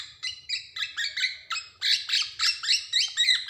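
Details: Black-naped oriole from Java, a lively singer played to stimulate untrained birds: harsh, nasal, downslurred notes repeated about four times a second over a faint low hum.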